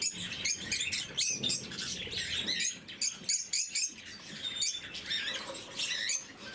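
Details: Morning feeding of blue-mutation lovebirds: rapid, high squeaky chirps come in quick clusters, many birds overlapping, with short gaps and light pattering or rustling sounds underneath.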